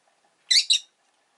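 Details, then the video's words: Pet rosy-faced lovebird on a calm afternoon gives two quick, harsh, high chirps in close succession, then falls silent; faint soft sounds are heard before, and town noise may be present. "Lovebird Chirping Sounds"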